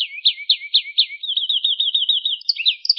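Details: Gacor canary rolling song for bird training: slow buzzy swooping notes about four per second, then a rapid fluttering warble, and a few scattered high chirps at the end.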